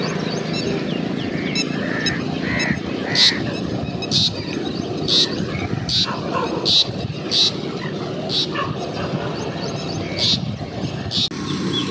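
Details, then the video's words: Pheasant-tailed jacana giving short, sharp, high notes about once a second, with a few lower mewing notes, over a steady rumbling background noise. "Pheasant Tailed Jacana Call"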